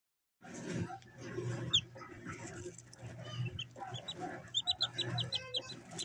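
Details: Three-day-old chicks peeping: short, high, sharply falling chirps, scattered early and then in a quick run of a dozen or so over the last two seconds, above a steady low hum and broadband rustling.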